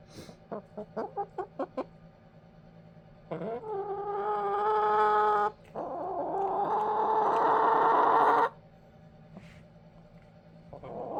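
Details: Pet backyard chickens sleeping over in a dog crate, slightly confused: a row of soft, quick clucks, then two long, loud, strained, drawn-out squawking calls of several seconds each, separated by a brief pause.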